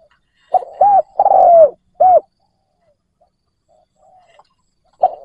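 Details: Decoy spotted dove cooing to attract wild doves: soft hooked note, long sliding coo, then a closing rounded coo, followed by quiet and the start of another phrase.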